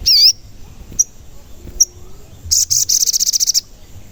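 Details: Sogon lure sound, from an active singer, for stirring other sogon birds: a high wavy whistle, two sharp chips, then a fast rattling high trill of about a dozen pulses lasting one second.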